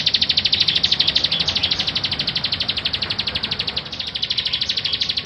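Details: Bar-winged prinia singing, used as a training model for other songbirds: a fast, steady series of high, sharp chirps repeated about three times a second, continuing throughout.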